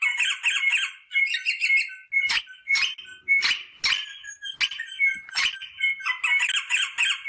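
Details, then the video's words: Rosella sounds aimed at stimulating mating, a steady stream of harsh rapid chatter mixed with short sharp notes and brief whistles. "صوت طائر الروزيلا للتحفيز على التزاوج │The sound of the rosella bird to stimulate mating"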